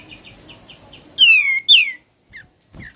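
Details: Sooty-headed bulbul singing in ngebren style: soft repeated chirps give way to two loud, strong, downward-sliding whistled notes, then brief quieter falling notes.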